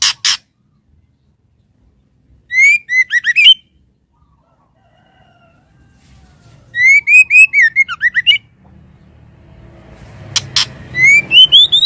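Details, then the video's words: Female white-rumped shama calling the male: three bursts of clear, rising whistled notes, each a quick run of bright slurred phrases, separated by pauses of several seconds, with faint background hiss growing toward the end. "SUARA BURUNG MURAI BATU BETINA MANGGIL JANTAN"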